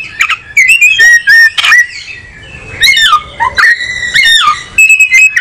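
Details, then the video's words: Kacer, or oriental magpie-robin, delivering a rich varied song of clear whistles around a steady pitch, falling slurs and harsh rasping bursts, with short pauses between phrases; loud and close. "Burung Kacer nyari posisi enak"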